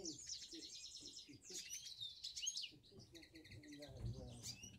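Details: Three cock finch mules, all last year's birds, sing over one another in fast, twittering, canary-like runs of high chirps and trills, with a person talking quietly underneath.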